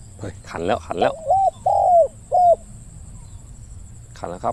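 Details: Spotted dove calling in a decoy-luring session. A man speaks briefly, then three low, rounded coo notes follow, the middle one longest, and a voice returns at the end.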